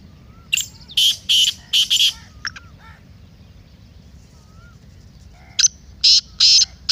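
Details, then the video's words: Black francolin (kala teetar) calling, used to stir a kept francolin into mast calling: rasping, broadband notes in a run of four, then a pause, then another fast harsh series of four, with a faint whistle in the gap. "Kala Teetar masti aur chakri k liye behtareen awaz/Black Teetar Voice"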